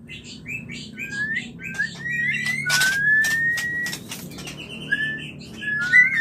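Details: White-rumped shama song used to prompt mating: clear whistled notes, short chirps and a long rising whistle, with loud clicks and rattling sounds throughout.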